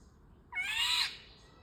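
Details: Indian golden oriole giving one harsh, nasal, cat-like note of about half a second, broad and rough, sliding slightly downward at its lower edge, against a quiet background.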